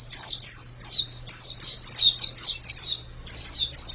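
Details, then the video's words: High, sweet white-eye song made of quick downward-slurred whistles grouped in short bursts separated by small pauses, with a faint low hum in the background. "Ini pasti pleci yang sangat super itu kicaunya"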